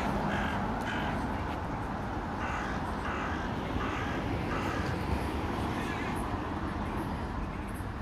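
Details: Crow giving a series of harsh, nasal caws, several in quick succession and then spaced out, over a steady roar of traffic.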